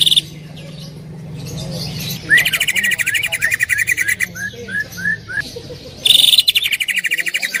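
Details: Greater green leafbird, a loud singer used as a training recording, mixes a rapid stuttering trill with a run of short upslurred whistles, then a loud fast rattle.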